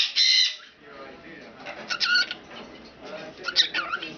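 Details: Two pet cockatiels chat with their owner in bright, bursty phrases of squeaky, warbled notes while she talks softly to them, saying "pretty bird".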